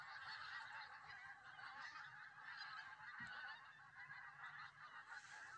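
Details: Many geese calling together at Southerness, Dumfries, on the Solway Firth: unbroken overlapping honks forming a thick, even chorus.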